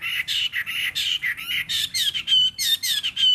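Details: A caged Chinese hwamei (Garrulax canorus), a fighting bird, three seasons caged, with a slightly hoarse voice, sings fast, loud bursts of high notes: rough, scratchy phrases first, then clearer whistled slurs, about three phrases per second; finding: Chinese hwamei.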